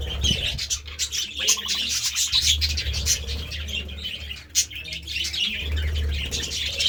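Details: Busy budgie flock eating seeds and vegetables: fast, high twittering and chirping runs without pause, with a sharp single click partway through.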